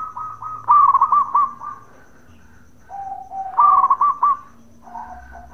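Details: Local zebra dove singing its bekur call to make rivals answer: soft cooing leads into a loud rattling burst of clipped notes, repeated after a pause, with fainter cooing between.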